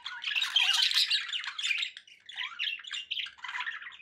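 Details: Domestic budgies produce a loud burst of dense, rasping warbles that thins into separate chirpy phrases, several short notes following one another in quick succession.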